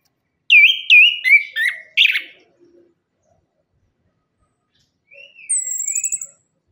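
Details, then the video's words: Orange-headed thrush, recorded as a singing lure for birds learning or reluctant to sing. Four or five loud slurred whistles in quick succession, a pause, then a thin high trill and soft whistles. "KICAUAN ANIS KEMBANG GACOR"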